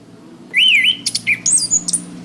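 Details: Orange-headed thrush song for training caged birds: a strong arching whistle, a lower slurred note, then thin, very high squeaky notes close together.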